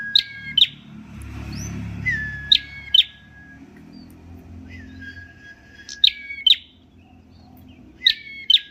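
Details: A prinia known as prenjak merah, a champion songbird, gives quick doubled high chirps with downward hooks, separated by long level whistles, over a low rumbling background hum.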